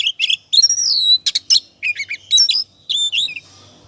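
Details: Short burst of ngobra-style oriental magpie-robin song, meant as a singing lure: bright slurred whistles, a few harsh chirps and clear downward-sweeping notes in quick phrases.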